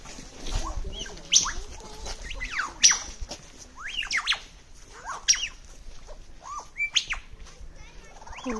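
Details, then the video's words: Lyrebird near Sydney mimicking typing, children's toy guns and various other birds: a jumble of sharp clicks, bright rising and falling whistled sweeps and squawky notes in irregular bursts, with quiet low rumbling behind. "lyre bird making sound of typing / kids toy guns and various other birds"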